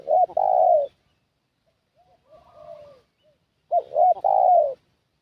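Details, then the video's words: ['Decoy spotted dove calling to attract wild doves: a loud phrase of two quick coos and a drawn-out falling coo, a softer distant coo answering in between, then the loud phrase again.'] "Suara Pikat Burung Tekukur"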